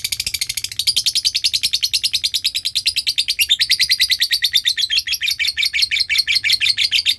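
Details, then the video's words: Long lovebird ngekek trill used as training sound: dense, high-pitched stream of quick notes, roughly three per second at first, then faster and continuous for seven seconds without a pause. "Belajar ngekek panjang,suara pancingan love bird ngekek"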